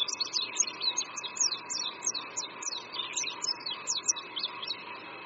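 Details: Oriental white-eye singing near a creek at Qingdao University, China, in spring: fast high twittering slurred notes, quieter and partly blurred by a steady midrange rushing background, likely flowing water.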